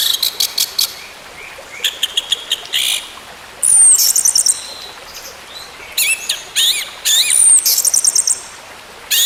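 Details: Song of an orange-headed thrush, played as therapy to restart a bird that went quiet: dense bursts of quick high notes, loud rich phrases and thin descending whistles, repeated several times.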